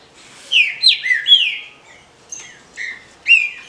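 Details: Kept female rufous-bellied thrush calling to stimulate males: clear slurred notes falling from high to mid pitch, three linked in quick succession, then after a pause two more spaced notes, quiet background.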